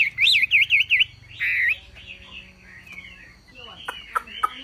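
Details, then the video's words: ['Javan pied starling song as a masteran tutor recording: a quick run of zigzag whistled notes and a buzzy phrase in the first seconds, then quieter scattered chirps and clicks.'] "MASTERAN BURUNG WAMBI FULL TEMBAKAN GACOR DOR"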